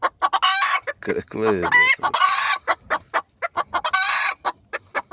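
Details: Bantam chickens, a decorative dwarf flock with a young rooster, heard at close range: quick clipped clucks around a strained harmonic call that falls in pitch, then more rasping calls and steady clucking.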